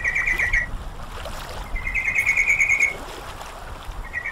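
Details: Sooty-headed bulbul, from a training recording meant to bring a bird into full song: rapid buzzy chattering phrases of evenly pulsed notes, each about a second long, repeated at intervals over steady running water.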